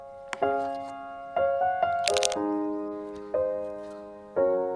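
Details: Piano chords struck every second or so, each ringing and fading, with a brief camera click in the middle and no animal calls.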